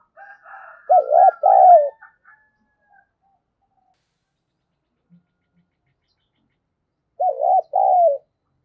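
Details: Spotted dove used as a lure for other doves, giving low, wavering double coos twice about six seconds apart, while higher, thin chattering notes from another bird sound at the start.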